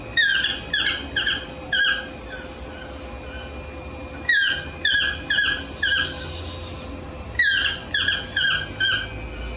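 A toucan gives quick runs of high, squeaky yelping notes in short bursts every second or two, over a faint steady hum.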